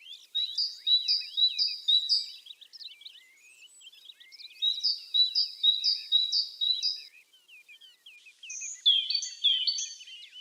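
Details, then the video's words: Tit song in bursts of four to five ringing two-note phrases with pauses between, mixed with soft, scattered twittering calls; the last burst sounds higher and sharper. "ЗВУК СИНИЦІ | Який звук видає синичка"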